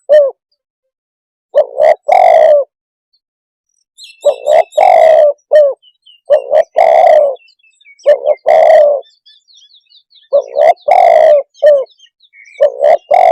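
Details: Spotted dove repeating low, husky coo phrases of short notes and longer coos over several cycles. Faint high chirps from another bird are heard in the background midway.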